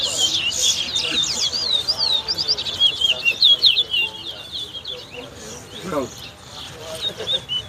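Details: Towa towa, the lesser seed finch, competing at a whistling contest at a bird ground on the West Side, Guyana. Quick, sliding whistled phrases come in dense bursts, then thin out, with people talking faintly behind.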